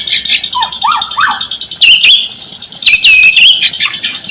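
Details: Lure recording of a white-rumped shama to provoke quiet birds: soft lower warbled phrases first, then loud sweeping whistles and sharp rapid chips over a constant high ringing note.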